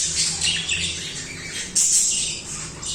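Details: Several budgerigars singing and chirping continuously, a dense mix of high scratchy chatter and squawks with bright bursts, steady through the stretch with a louder flare near the end.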